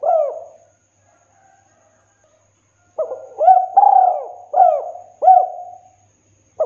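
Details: Spotted dove giving the two-note 'kuk 2' call style, recorded as a lure and training track. A single soft coo opens, then after a pause comes a run of mellow, hooting coos with swooping notes, clear and without other sounds.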